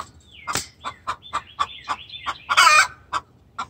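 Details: Hen's distress call toward the rooster: evenly spaced clucks, a harsh squawk near the end, and a thin whistled chirping running underneath.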